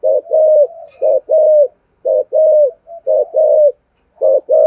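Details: Decoy spotted dove cooing to lure wild birds: paired soft coos, a short note followed by a longer drawn-out one that falls at the end, groups repeated roughly every second, otherwise quiet.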